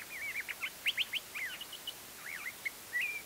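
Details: Curve-billed thrasher singing in spring in Embudito Canyon, Sandia Mountains foothills near Albuquerque, New Mexico, around 9:30 am, recorded with a shotgun mic: a varied, rapid jumble of slurred whistled phrases and sharp notes with irregular gaps, over soft hiss.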